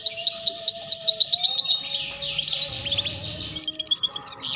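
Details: Training song for young canaries learning the ngeriwik sound: bright rapid trills of repeated high notes, then sweeping buzzy phrases and sharp chirps, with a faint low hum beneath.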